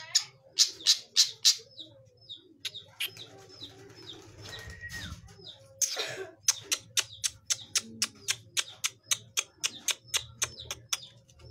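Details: Young long-tailed shrike learning to sing: a few loud rasping bursts, then a quieter jumble of thin notes, then a steady series of sharp, clicking notes about four per second.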